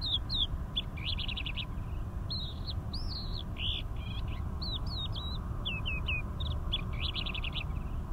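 A crested lark sings a fast, continuous jumble of clear whistles, slurred notes and quick trills, set over a steady low rumble of wind or distant traffic.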